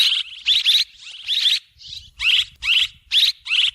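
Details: Swiftlet calls used as a lure sound: rapid series of harsh, buzzy chirping bursts, each about a third of a second long, repeated almost without pause in a steady twittering chatter.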